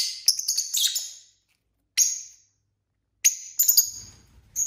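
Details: Several pet lovebirds chirping at dinner time indoors: short bursts of high, sharp squeaky chirps separated by silent gaps.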